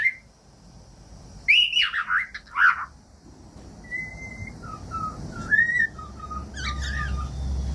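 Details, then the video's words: Harsh chirps from a cockatiel, then a run of clear whistles: a long level note and short falling and rising phrases, over a rising low hum; used to train pet cockatiels. "15 MINUTOS DE CANTOS DE CALOPSITA"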